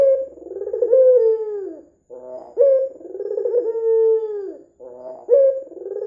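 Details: Energetic red-eyed white dove cooing as bait to set other doves calling: deep throbbing rolls leading into drawn-out, falling coos, phrases spaced around two and a half seconds apart; steady faint whine present.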